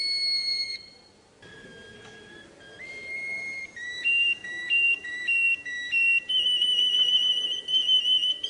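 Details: Russian canary song of long, pure whistled tones held on steady pitches, shifting in steps between notes, with some repeated stepped phrases and a brief quiet gap early on.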